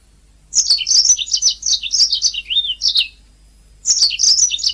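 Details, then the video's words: Canary master recording for training singing birds: a long, dense phrase of high chattering notes with a brief low whistled slur, a short pause, then another rapid twittering burst. "Ocehan Suara Burung Kenari"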